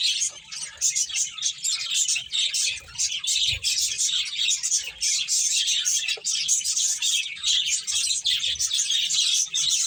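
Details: Playing finches keep up a steady, busy stream of sharp high chirps and tweets, many birds calling together with scarcely a gap.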